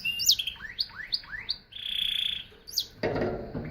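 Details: Canary singing a varied phrase of rising whistled sweeps, a sustained buzzy trill near the middle, then a harsh broadband burst at the end.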